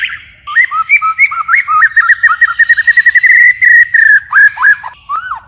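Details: White-rumped shama forest-style song with continuous voice changes: a rapid string of short whistled looped notes on a steady pitch, accelerating into a trill, then a few slower downslurred whistles.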